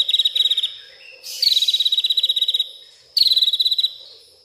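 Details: At night a white-rumped shama, agitated, runs through learned song material: bursts of rapid, high, chattering pulses, one longer run of over a second, broken by brief quiet gaps.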